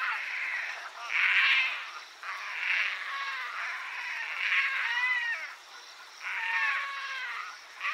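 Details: Painted stork (Mycteria leucocephala) calling at the nest: a continuous chorus of wavering, nasal, moaning notes that swell and fade in waves, with overlapping bending tones.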